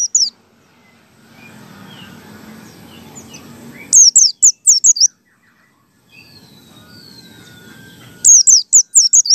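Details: White-eye singing in the ngalas style as a lure for other white-eyes: brief bursts of high, thin, down-slurred chirps separated by long stretches of soft hiss and a faint distant whistle.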